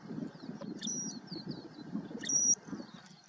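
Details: Southern grey shrike (Lanius meridionalis koenigi) on the El Jable plain, Lanzarote, in December 2019, gives two clear, high, flat whistles about a second and a half apart, with thin twittering notes between, over low wind rumble.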